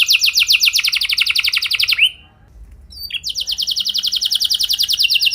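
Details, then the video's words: Canary training song for long rolling singing: a fast even trill of repeated notes, a rising slur, a short quiet gap, then another long rapid trill. "Pancingan Burung Kenari Biar Gacor Ngeroll Panjang! Pasti Nyaut Kenari Manasaja"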